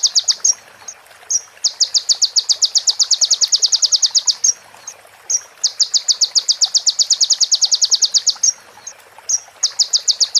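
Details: Crimson sunbird (konin) song as a clear tutoring recording for other birds, with prenjak and ciblek phrases: long bursts of rapid, high, evenly spaced ticking notes, broken by short thin whistled slurs and brief pauses.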